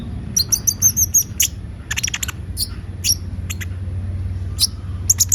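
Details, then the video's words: Gacor lure song of a van Hasselt's sunbird (kolibri ninja) opens with a fast run of high trilled twitters, then scattered sharp chirps, while a steady low droning hum continues throughout. "Pancingan suara burung konin gacor"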